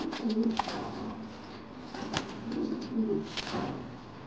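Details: An angry Modena king pigeon, male, on a fancy pigeon farm, utters two short, deep, rolling coos a few seconds apart amid background rustling and knocks in a small room.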